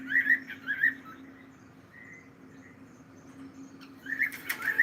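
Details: Cockatiel chirping in quick wavering whistled notes, a cluster at the start and another at the end, with a quieter single note between and a steady low hum underneath.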